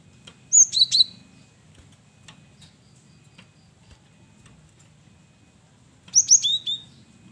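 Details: Male cinereous tit (gelatik batu) singing lively varied song used as a lure: two short bursts of sharp, high whistled notes, each stepping down from a piercing upper whistle to a lower slurred note, separated by several quiet seconds with faint clicks.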